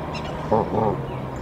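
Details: Mother goose on her nest at Decorah, 27 March 2023, sounding the alarm that brings the male to the nest: two short, low, harmonic honks in quick succession over steady background hiss.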